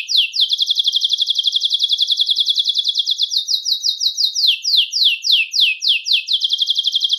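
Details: Belgian canary song meant to warm up males and bring females into breeding condition; a long rapid stream of bright high notes, slowing into separate downward-sliding whistles near the end.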